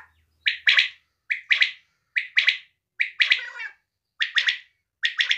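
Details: A female quail gives a harsh, mid-high call of two or three quick notes, repeated about once a second. A faint low hum comes at the very start.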